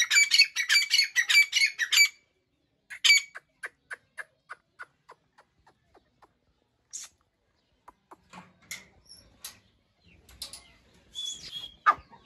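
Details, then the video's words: Dakni breeder pair of grey francolins (teetar): two seconds of rapid, harsh repeated calling, then a long run of soft clicks and faint scattered notes, with a brief rasping call near the end. "New Dakni Breeder Pair Sound | Tetar ki AwaZ"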